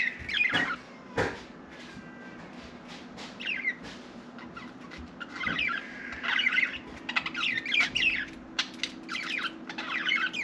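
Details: Pet budgerigar trying to talk: scattered short chirps and warbled notes come in bursts, quiet stretches between them, with a few sharp clicks and a low steady hum in the background.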